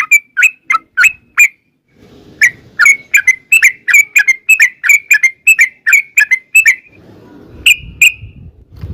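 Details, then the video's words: Lure song of a yellow-vented bulbul, long 'ropel' style meant to make birds respond: a few loud gurgling whistles, then a fast even string of rich chirped notes, ending in a higher clear note over low noise. "trucukan gacor TARUNG ROPEL PANJANG pancingan trucukan agar bunyi jadikan burung trucuk gacor NYAUT"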